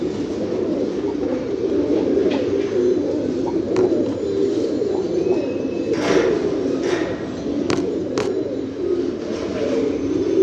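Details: Fancy pigeons, many together, give a dense, continuous low cooing murmur of overlapping rolling coos, with a few sharp clicks and knocks in the background.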